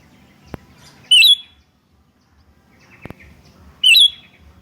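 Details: Sooty-headed bulbul answering calls for luring birds: two sharp, clear whistled phrases with a quick up-down twist, about three seconds apart, plus soft clicks and a faint background rumble.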